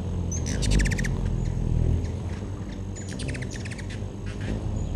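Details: At a backyard feeder in 2013, hummingbirds make two quick, high, clicking chatter bursts with faint chips between them; a low rumbling noise runs underneath.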